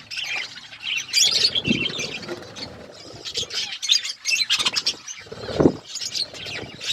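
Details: Pet budgerigars eating food and chirping, bursts of high twittering and rasping chirps with gaps, plus a couple of dull knocks.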